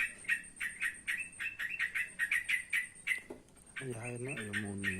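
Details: Evening calls of a trotokan, quick clipped chatter notes repeated in bursts for about three seconds, then a person's voice talking over the last part with a few bird notes still heard.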